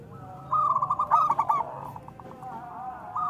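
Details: Single cooing phrase from a local zebra dove, a lure to start other doves singing: rapid pulsed notes rising into a trilled ending, followed by faint softer coos.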